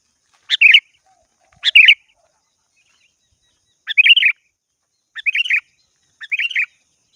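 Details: Sooty-headed bulbul calling to a rival, giving five brief chirpy phrases spaced about a second apart, each a quick bright note run into a short warble, against silence.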